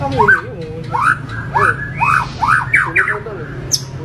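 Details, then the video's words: Harsh, varied white-rumped shama song of rising, swooping whistled notes given in quick succession, over a constant low hum. "MURAI BATU Full Tembakan Variasi Kasar Mewah"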